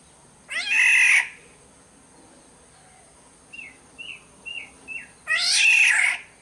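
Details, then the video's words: Sumbawa black-naped oriole delivering two loud, rasping, mewing calls about five seconds apart, with a short run of four quick, soft whistled notes between them; otherwise quiet hiss. "Pancingan suara burung kepodang SUMBAWA"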